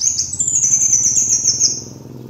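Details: High, piercing sustained trill from a kolibri wulung sunbird, a master lure recording, running unbroken for nearly two seconds and slowly dropping in pitch, with a faint low hum underneath.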